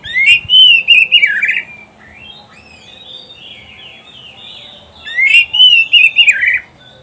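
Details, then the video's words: Oriental magpie-robin song meant for teaching pet birds: a loud burst of varied whistled, warbling notes, a quieter softer passage of thin whistles, then another loud slurred phrase, repeated pattern. "SUARA KICAUAN BURUNG KACER TERBAIK, PART 94 - MASTERAN KACER - KACER GACOR - PANCINGAN KACER"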